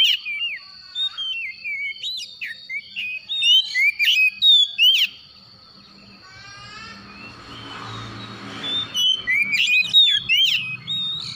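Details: Oriental magpie-robin calling in the morning: rapid, energetic whistled notes repeated about three per second, broken by a stretch of hissing noise, then a fresh burst of sharp, varied whistles.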